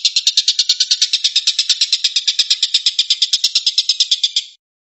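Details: Rapid 'tembakan' chatter of a stork-billed kingfisher (tengkek buto): harsh pulsed rasps repeated quickly and steadily for about four and a half seconds, then stopping abruptly into silence.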